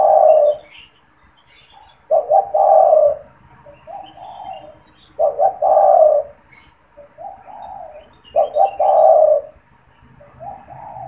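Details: Spotted dove in a cage, said to coo all the time and used to stimulate and lure wild doves; repeated three-part coo phrases about every three seconds, each ending in a long low note, with thin chirps from other birds.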